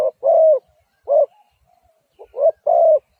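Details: Spotted dove giving mellow low coos, a brief note then a longer sustained one, then a pause and another short-long pair, close and clear with no other sounds.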